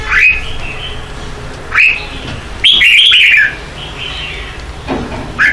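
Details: Lure song of a red-whiskered bulbul singing in the morning in contest style, used for training birds: clear downslurred whistles spaced a few seconds apart around one loud, rich, warbling phrase.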